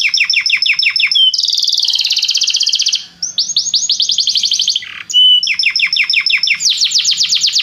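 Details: Belgian canary warm-up song: repeated sharp high notes in fast series, a dense rattling trill, a short harsh rasp, then renewed rapid note trains and a bright rolling trill at the end.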